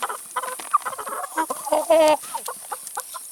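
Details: Chickens eating salad and vegetables give short soft clucks, then a louder drawn harmonic squawk near the middle, with pecking clicks and a steady high hiss behind.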